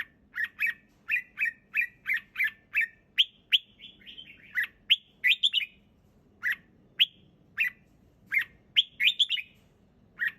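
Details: Red-whiskered bulbul singing in a relaxed way, clear and close: short bright chirped and whistled notes, some slurred downward, delivered in quick bursts with brief pauses over a quiet low background hum.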